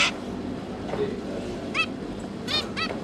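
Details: Zebra finch pair busy feeding their three newly hatched juveniles: a few short nasal, harmonic-rich calls at widely spaced moments over a steady background hiss.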